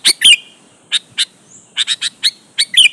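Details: Sooty-headed bulbul in full, lively song, meant to provoke rival bulbuls into answering: a quick irregular string of bright, sharp chirping notes, some doubled with a ringing whistled tail, in a clean, quiet setting.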